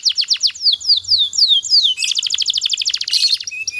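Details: Canary master song used to train other canaries to sing steadily and at length. High sweeping whistled notes repeat rapidly, then give way to dense buzzy trills and a fast rattling roll.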